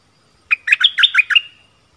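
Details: Stripe-throated bulbul song recorded 1 April 2021, wild birds answering a caged bird and coming near but not landing, thought to have chicks in a nest; one quick bubbly phrase of six bright, warbled notes over about a second, in near silence.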